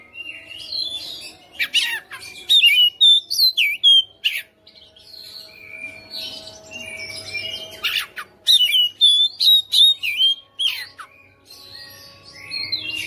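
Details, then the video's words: Captive white-rumped shama kept at home, a fighter-type bird singing persistently and loudly with a full repertoire: rapid whistled phrases, sharp rising and falling slurs and harsh buzzy notes in dense bursts, with quiet gaps between. "KACER RUMAHAN FIGHTER NGOTOT | GACOR | BONGKAR ISIAN"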